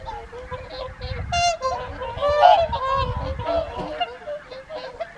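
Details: Whooper swans at the evening feed on the Folly Pond at Caerlaverock in January 2023: many overlapping honking, trumpeting calls from a crowded flock, with low rumbling thumps underneath in places.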